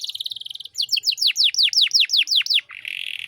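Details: Canary 'cengkok mewah' master song for teaching untrained birds: a high fast trill, then about a dozen evenly spaced deep downswept notes, closing on a low buzzy rattle.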